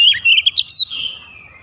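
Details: White-rumped shama in the morning: a short burst of bright chirps and whistles around the upper register, then a fading, slightly descending trailing note.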